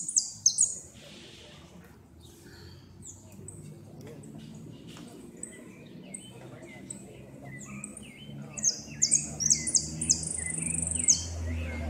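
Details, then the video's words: Goldfinch in a 2016 north-zone singing competition, 'repique' style, second-place entry: high, thin whistled notes and rapid trilled phrases, loudest near the end, with low murmuring voices and background hum underneath. "Amarillo de repique"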